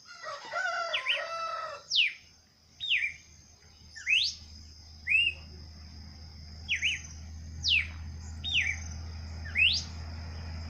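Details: Wild bird singing outdoors: clear whistled notes, some falling and some rising sharply, repeated about once a second, with a steady high continuous tone and low background hum throughout.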